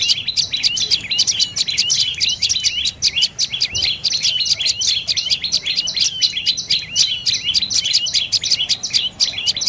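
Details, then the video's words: A dark-necked tailorbird gives a fast, unbroken run of high, sharp chirping notes, several each second, with little else heard behind them. "เสียงนกกระจิบคอดำDark necked Tailorbird Sounds"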